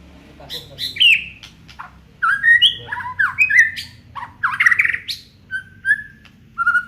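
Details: Song of an Aceh white-rumped shama kept as a songbird: varied whistled phrases, rising and falling slurs with rapid warbles and scattered high clicks between bursts.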